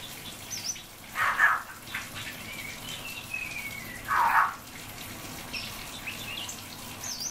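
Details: Common hill myna calling out to its friend by name: two loud, rounded, voice-like bursts about three seconds apart, with a thin rising whistle between them and faint high chirps over a low background hiss.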